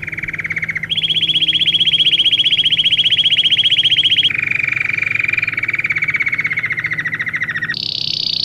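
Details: Belgian canary singing a training song for young canaries: long, rapid rolling trills held on one pitch, then shifting abruptly to a lower roll and finally a higher, buzzier trill, over a faint low hum.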